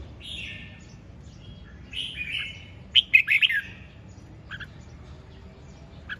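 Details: Red-whiskered bulbul song: soft buzzy trills at first, then a loud burst of four quick whistled notes, followed by a few thin clicks and chips over a faint low hum.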